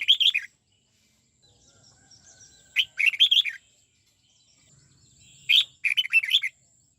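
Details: Red-whiskered bulbul in song training, '89 xoắn tít' style, repeating a lively whistled phrase three times at intervals of about two and a half seconds, each a quick cluster of rising and falling notes.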